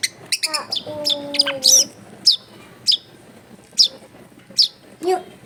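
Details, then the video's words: Long-tailed shrike song recorded at home in a crowded neighbourhood: an opening burst of harmonic whistled notes, then sharp high clicking chips spaced about every half to one second. "CENDET GACOR SOLUSI PANCINGAN BUAT CENDET MALAS BUNYI"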